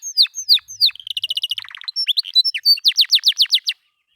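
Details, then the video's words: Master recording of canary song for training pet birds: bright whistled down-slurred notes, then a quick buzzy trill and a low rattle, ending in a loud series of sharp repeated chirps before falling silent. "Masteran Kenari Biar Cepat Gacor – Suara Jernih & Nyaring"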